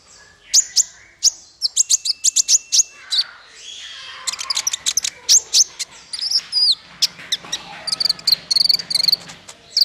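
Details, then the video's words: Bird song used as a training master for small fighter birds: high, sharp chirps and thin whistles in rapid bursts, with buzzy notes and a steady high trill near the end. "Masteran paling merdu untuk burung faigter kecil"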